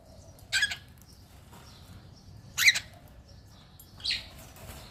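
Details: Pet cockatiel giving three short, harsh screechy calls spaced about two seconds apart in a quiet room.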